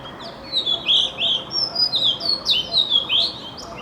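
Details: Magpie-robin singing in the morning: a varied run of clear, sweet whistled phrases, some sliding up and some down, delivered in quick succession with short gaps, over a faint steady background hiss.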